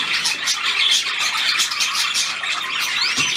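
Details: Pet budgerigars filmed on September 9, 2021, while their keeper plays with them: dense, continuous chattering of high warbles, squeaks and scratchy squawks, several birds overlapping without pause.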